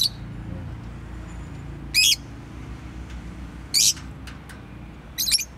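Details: A pet bird calls with three brief, bright, high-pitched chirps, each about two seconds apart, over faint low background hum.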